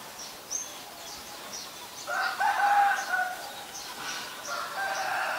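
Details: Common myna, Ubon Ratchathani, Thailand, May 4, 2022, Nikon P1000 recording: a soft lead-in, then a burst of rough, throaty chattering notes, fading and rising again, with light background noise.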